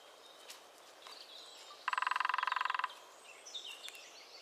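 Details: A lesser spotted woodpecker in the New Forest gives a steady, fast drum roll of roughly twenty taps over about one second. Faint high chirps from other birds sound around it.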